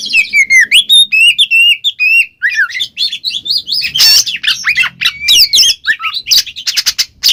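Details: Kacer, the Oriental magpie-robin, singing ngeplong as a lure for a silent bird: opening series of falling whistled notes repeated about twice a second, then varied scratchy phrases, a harsh buzz and bright rising whistles.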